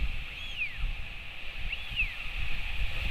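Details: Northern royal albatross: a male visiting his chick at the nest on a windy afternoon in New Zealand gives a sky-call greeting before feeding it. Two drawn-out arching whistles, each rising then falling, about 1.5 seconds apart, over strong wind roar.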